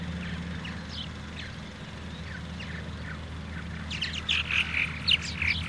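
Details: Purple martin calling: scattered short chirps through the first seconds, then a louder burst of rapid, gurgling chirps near the end, over a steady low mechanical hum.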